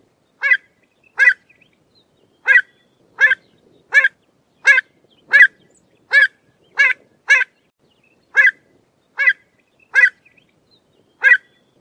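Pied avocet giving short, sharp 'kluit' notes, about one every second, clear and ringing against a quiet background.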